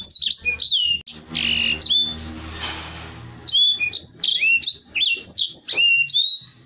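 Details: Black-throated canary in full song, used as a model for training other birds: quick downslurred whistles, a noisy rustling patch midway, then a renewed run of crisp high notes.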